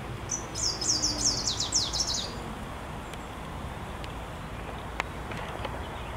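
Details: A wood warbler, a spring visitor in Warsaw, Poland, recorded 9 June 2023, delivers a two-second shivering trill of high descending notes, followed by silence broken by a few faint clicks.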